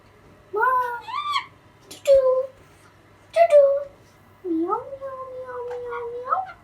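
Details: A two-and-a-half-month-old pet Alexandrine parakeet, learning to talk, says four speech-like phrases of bending, nasal syllables. The last phrase is long and drawn out, over a faint steady hum.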